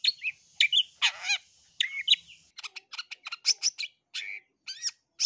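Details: Varied long-tailed shrike singing meant to make rival shrikes reply: a harsh grating rasp early on, then rapid clicky notes and whistled chirps that rise and fall.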